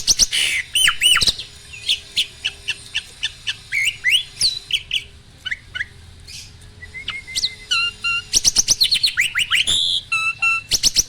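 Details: Asian pied starling, an adult male cage bird signalling readiness to mate by pumping, gives a long song of loud clicks and whistled loops, steady clicking notes in the middle, then a final burst of rapid chatter.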